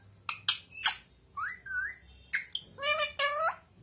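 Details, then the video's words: Talking parrot giving sharp squawks, rising and falling whistled notes and a speech-like harmonic phrase near the end, in quiet indoor surroundings. "talking parrot"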